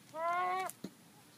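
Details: Chicken making an odd whining noise, recorded on a mobile phone: one drawn-out, nasal, slightly rising whine lasting about half a second, followed by a short soft click.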